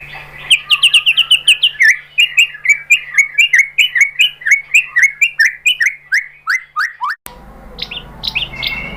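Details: White-rumped shama (murai batu) lure song to make other shamas answer: a long series of sharp repeated chirped notes, steady then speeding slightly, followed by a sudden cut and a few brief high squeaks.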